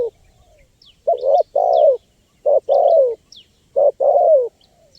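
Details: Spotted dove phrases for luring wild birds, repeated three times: a short coo then a long mellow coo falling in pitch, with scattered high chirps of another bird.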